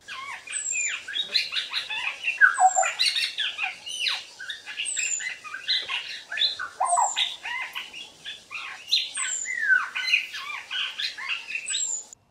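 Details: An immature Black-headed Oriole in Southern Africa practising its call: a rambling jumble of chattering, slurred and squeaky notes, with a thin, high, falling whistle repeating about every one and a half seconds.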